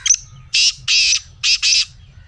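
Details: Black francolin kept as a pet, its call used to prompt a silent caged bird to start calling: four loud, harsh, grating bursts in two pairs, broadband and rasping, with a short scratchy note before them.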